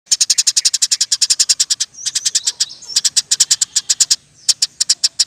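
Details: Eurasian tree sparrow singing persistently in the roll tembak style, kept as a tutor for other songbirds: fast trains of sharp, high chirps at about seven per second, broken by a brief pause and a thin whistled slur.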